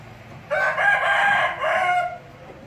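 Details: One rooster crows loudly, a rich harmonic call of about one and a half seconds in two linked parts, the second held and slightly falling, over low background hum.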